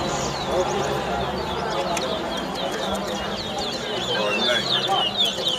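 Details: Towa towa, or chestnut-bellied seed finch, in a singing contest at Lusignan, Guyana: rapid series of sharp, high slurred notes, several per second, with crowd chatter and voices underneath.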